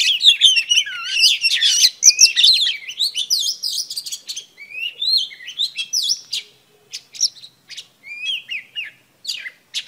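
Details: Oriental magpie-robin, a female, singing to excite males: an intense burst of dense twittering and whistles that thins into spaced, scratchy phrases and short sharp notes toward the end.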